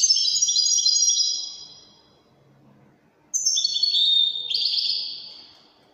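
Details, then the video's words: European goldfinch, described as Widani, singing bright twittering phrases of high, tinkling notes. A sustained burst is followed by a pause and then another rapid, liquid run with trills. "تغريد طائر الحسون الويداني"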